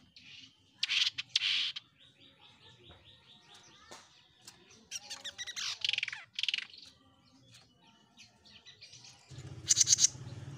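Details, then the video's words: Jenggot Mini bird singing actively, with a varied run of harsh chattering bursts, buzzy notes and thin whistles, ending with a quick series of sharp high chirps over a low hum. "JENGGOT MINI GACOR‼️"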